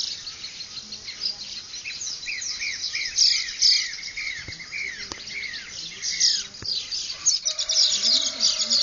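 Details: Dawn bird concert in the Venezuelan llanos at Barinas, February 2009: repeated arched whistled notes in a descending series over steady high twittering, later a sustained lower tone and a buzzy rising phrase.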